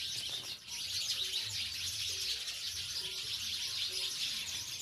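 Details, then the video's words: House sparrows in a village setting give a thick chorus of quick, overlapping chirps, loud and continuous throughout. "Sparrow गौरैया अब शहर से दूर गाँवो मैं निवास करने लगी है, आवाज आपको जरूर पसंद आयेगी !!"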